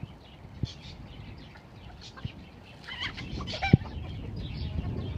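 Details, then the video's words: Young roosters fighting over a hen as two flocks of four free-range for the first time; scattered low clucks and sharp knocks, then a brief run of higher harsh calls near the end, with wing flutters. "Young roosters fighting for hen"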